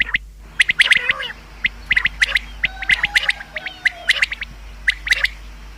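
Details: Common quail (bater) calling for hunting: clusters of short, bright, snappy notes in quick groups, several callers overlapping, with a faint thin whistle in the background.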